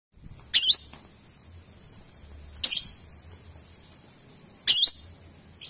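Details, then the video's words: Young lovebird, about three and a half months old, kept as a pet bird during mental training: three short, piercing high chirps spaced about two seconds apart, each a quick downward-bending shriek, over quiet low hum. "Melatih mental burung lovebird paud dan akhirnya muncul ngekek nya"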